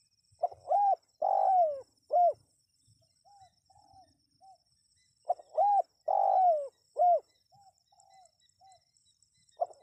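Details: Spotted dove calling to draw in wild birds, two complete phrases about five seconds apart, each a short note, a rounded coo, a long falling coo and a clipped ending, with softer trailing coos and a faint high hiss.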